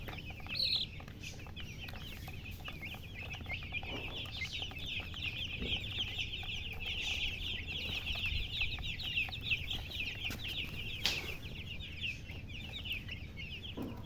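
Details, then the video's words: Baby chicks peeping in a steady chorus of rapid, high, overlapping chirps, with occasional louder cheeps and a background of rustling and low hum. "Witty MURGI Baby "Chicks Chirping""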